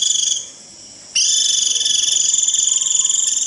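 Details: Japanese white-eye giving a shrill rít call meant to gather the flock and lure wild birds. A high, piercing, sustained trill that breaks off briefly, then resumes as a steady buzzing stream with fine rapid pulsing.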